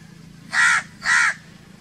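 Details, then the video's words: Two harsh crow caws delivered back to back, each lasting around a quarter second. "1 hour crow crowing sounds - one hour crow nonstop crowing voice - natural crow bird sounds"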